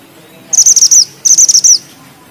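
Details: Two short phrases of high, sharp bushchat song, each a tight series of rapid chirps ending in a downward flick, separated by a brief pause against a quiet background.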